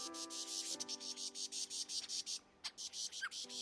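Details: Superb lyrebird in Australian rainforest mimicking a group of alarmed birds: rapid, harsh chattering bursts about three per second, varied in intensity to sound like several individuals, with imitated wingbeat whirring; steady background hum underneath.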